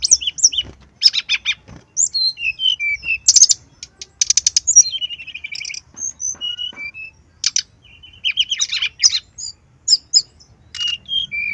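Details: Long, continuous brown-chested jungle flycatcher song for luring and tutoring birds: alternating buzzy bursts and clear whistled phrases that slur up and down, delivered almost without pause.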